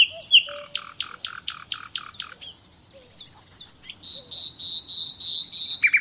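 Nightingale song: a rapid burst of about eight sharp repeated notes, then varied whistles, ending in a long fast buzzy trill of high rattling notes.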